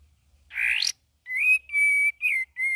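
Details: Sooty-headed bulbul, a young bird learning song with many variations, gives a rasping upward-sweeping note, then a run of steady clear whistles with short rising inflections.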